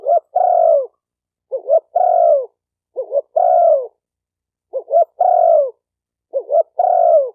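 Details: Spotted dove calling, a recording meant for training newly caught birds; five repeated phrases, each a quick two-part stutter then a sustained, downward-sliding mellow coo, roughly every one and a half seconds, nothing else audible.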